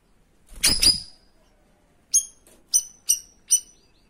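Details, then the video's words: Loud harsh burst at the start, then a run of five crisp, piercing high chips from a cream-striped bulbul (cucak rawis), 'tembakan' song used to train other birds. "TEMBAKANNYA SADIS SAMPAI MAU SOBEK MULUT BURUNG INI"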